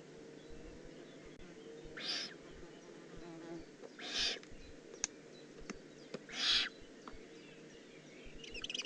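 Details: Young Eurasian eagle-owl in the Eifel on 18 June 2016 producing three breathy, rasping hisses about two seconds apart, with a faint buzzing and clicks toward the end.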